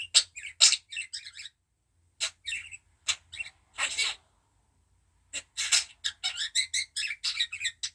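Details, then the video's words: Coughing pet budgerigar, with clusters of brief rasping bursts separated by silent gaps, then a dense run of high scratchy chirps and chatter. "Muhabbet kuşu çimen öksürüyor"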